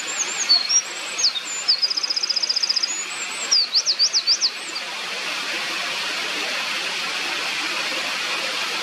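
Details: Eurasian wren by a mountain stream in 2024: a fast, high-pitched burst of sharp notes, a buzzy rattling trill and looping warbles lasting about five seconds, then only the constant roar of rushing stream water.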